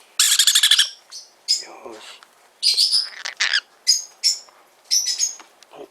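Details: Pet-shop sun conure chick in Fukuoka, Japan, starting with a quick rasping pulsed burst, then a mix of squeaky chirps and short screechy notes, with a woman's voice softly heard.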